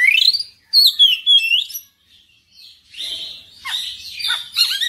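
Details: Oriental magpie-robin singing persistently and loudly, showing its full repertoire: bright whistled notes sweeping up and down, a rising slurred phrase, then thin high chirps, a brief pause, and a jumble of varied warbled phrases.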